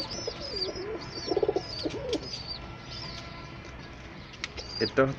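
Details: Domestic foreign-breed pigeons kept for income give low, throaty cooing notes while small birds chirp thinly overhead.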